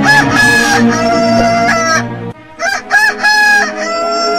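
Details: Dense, overlapping rooster crowing with a sustained harmonic crow at first, then a series of short, wavering crowing bursts.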